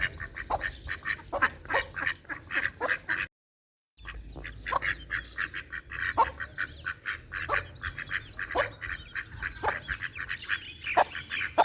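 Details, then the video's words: Ducks giving harsh, nasal quacks in quick, uneven bursts, several calls overlapping, with a short silent break a third of the way through before the quacking resumes at a similar pace. "Duck Quack Quack Cute Sound || Quacking Sound Of Duck || Ducks Quack Quack Loud Sound"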